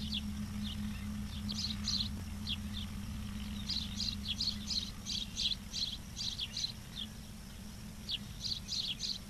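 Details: Ospreys at a nest cam in Charlo, Montana, 11:36 on 06/07/2023: a quick run of high, thin chirps in loose clusters, repeated at an uneven pace, over a steady low hum and rural background noise.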